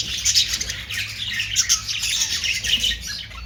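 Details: Short burst of budgerigar chatter, rapid scratchy chirps and squeaky notes tumbling over one another without a break.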